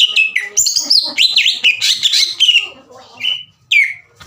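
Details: Green leafbird kept as a master bird to rouse rival leafbirds' emotion so they answer; jumbled fast chattering and mimicking phrases, then two separate clear whistles, the last sliding downward.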